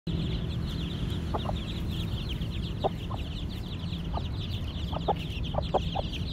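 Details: Excited young Aseel chicks in a village setting peep continuously in a dense chorus of short, high chirps, with a few lower clucks from the hen and steady low background rumble.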